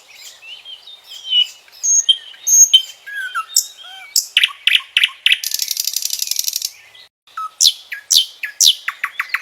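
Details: Common nightingale (Luscinia megarhynchos), song.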